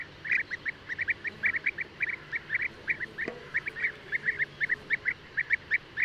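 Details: Short, liquid, mid-pitched notes from European bee-eater (Merops apiaster), delivered in quick pairs and triplets with a single faint knock partway through.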